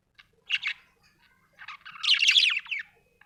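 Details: Happy budgerigar chirping: two quick scratchy chirps, then a longer dense run of warbled, buzzy chatter with fast pitch changes, fading out after about a second.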